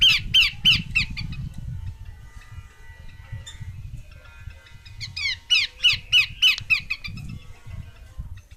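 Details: Female Horsfield's babbler, two strings of loud rasping downward-sweeping notes about three per second, a quieter gap between them, with low rumbling background noise.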